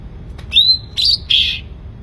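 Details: Sooty-headed bulbul in lively song: a loud clear whistle rising then levelling off, followed by two fuller, slightly buzzy notes in quick succession, against a quiet low hum.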